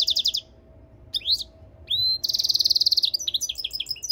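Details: Singing European goldfinch and canary mule, giving quick pulsed trills, upward-sweeping whistles, a long rattling trill and a closing run of varied chirpy twitters.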